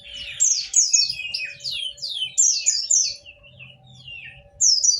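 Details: White-eye singing, offered as a lure to set lazy white-eyes singing: a rapid tumble of bright, high, downward-slurred chirps, dense for about three seconds, then a pause and a fresh burst, with a steady faint hum beneath.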